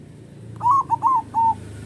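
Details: Local zebra dove with a big voice, its song used as a lure for other zebra doves: four clear whistled coos in a quick phrase, the first rising and wavering, the last a long even note, over low background rumble.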